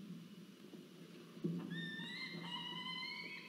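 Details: Peregrine falcons at a research nest site in Orange, New South Wales, Australia, 2 November 2023: male delivering food, female taking and eating it. Drawn-out, slightly rising, harmonic whining call rises over a steady low hum and rustling.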